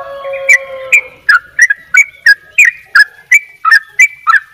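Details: Sooty-headed bulbul, Bali 'dobel ropel' gacor singing. Steady lower tones at the start give way to a brisk string of clear whistled notes, some doubled, about three per second.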